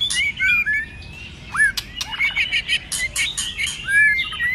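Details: Fighting song of a white-rumped shama: bright arched whistles, a sharp upswept note, and clusters of scratchy harsh notes, varied phrases in quick succession.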